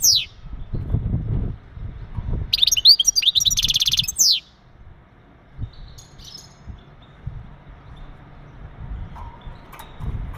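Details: Male European goldfinch mating calls aimed at preparing a female for breeding: a brief high sweep, then a two-second burst of liquid twitters and a rattling buzzy trill, followed by quieter background noise.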